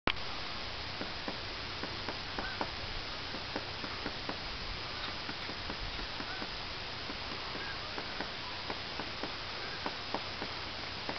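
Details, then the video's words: Woodpecker pecking a tree, recorded with the camera held overhead: sharp, dry taps recur irregularly about every third of a second throughout, over steady low background rumble and hiss. "Woodpecker Pecking a Tree"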